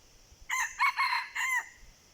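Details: Wild junglefowl responding to a decoy: a hoarse, broken crow with a short lead-in, two rough middle bursts and a sliding, falling closing note, over light background hiss.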